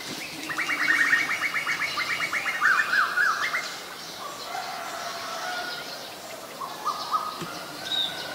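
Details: Asian koel calling: a rapid, stuttering run of short clipped notes over about two and a half seconds, then fainter scattered notes, with other birds chirping in an outdoor rural background.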